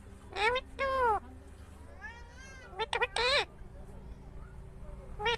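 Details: Talking ringneck green parrot (rose-ringed parakeet) producing speech-like syllables with arching, harmonic-rich pitch: two strong words near the start, a softer wavering phrase, then a quick burst of syllables, with a steady low hum underneath.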